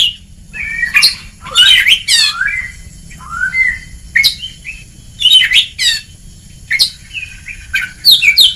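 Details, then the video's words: White-rumped shama ngeplong training song for lazy birds: harsh buzzy bursts alternating with clear falling whistles, separated by short silences. "Kacer Ngeplong!!! Masteran sangat ampuh untuk terapi mental kacer malas gacor"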